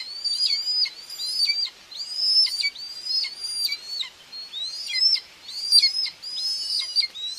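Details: Common buzzards at a nest in Tiszalök, Hungary, on 2 June 2024, a mother feeding two chicks. Thin, high, arched whistles fall away at the end and repeat in quick runs, about one a second.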